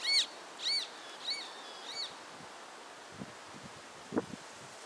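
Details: A roadside hawk in the Caatinga of the Sertão gives four high, nasal, arching notes about half a second apart, fading away, followed by soft rustling and a few low knocks.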